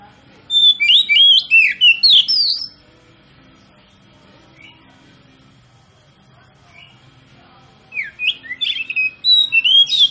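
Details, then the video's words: Oriental magpie-robin (kacer) lure song meant to provoke other magpie-robins into full song: two bursts of rapid, varied whistles and chirps separated by a quiet pause with a few isolated soft notes. "PANCINGAN KACER PALING AMPUH MERANGSANG KACER LAIN AGAR LANGSUNG BONGKAR ISIAN"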